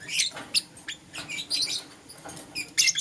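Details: Morning chirping from pet lovebirds, green opaline and lutino: irregular harsh squeaks and short buzzy chirps, some clustered, with soft pauses between and faint room hum.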